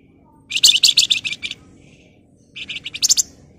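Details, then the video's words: Flamboyan in rapid, shrill song meant as a lure: a loud run of about ten fast chattering high notes, a two-second pause, then a second quicker burst of sharp notes, with only faint hum behind. "Burung Flamboyan Gacor Emosi Ngebren Rapat Nyerecet Cocok buat Pancingan"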